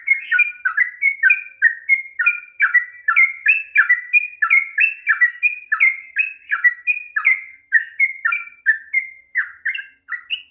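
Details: Long-phrased sooty-headed bulbul song used to provoke a bird that is reluctant to sing: a steady, unbroken stream of bright, choppy warbled notes, each rising and falling, about two notes per second.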